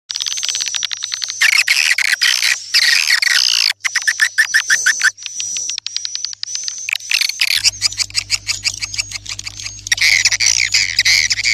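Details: Swiftlet lure call for attracting swiftlets: dense, rapid high twittering chirps and buzzy trills, with a steady thin high tone throughout and a low electrical hum entering in the second half.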